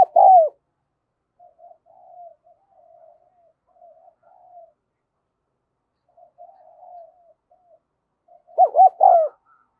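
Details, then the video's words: Spotted dove decoy, Đồng Son voice, calling to attract wild doves. One low coo opens and a cluster of three arched coos ends the passage, with long stretches of faint soft murmurs between. "Chim Cu Mồi Giọng Đồng Son gáy Gọi, Kích Bổi Cực Nhạy"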